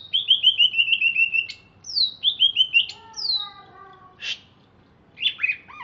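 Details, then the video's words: Captive greater green leafbird from Alas Purwo, Banyuwangi, singing after a bath: descending series of sweet whistled notes, repeated phrases, then softer lower whistles and a brief harsh note. "Cucak Ijo Alas Purwo Cerewet"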